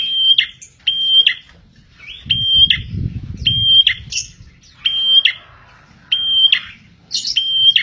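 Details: A bar-winged prinia (prenjak) repeats a sharp sustained whistle with a buzzy tail, about every second, in a song suited to luring birds; a low rumble of background noise passes midway.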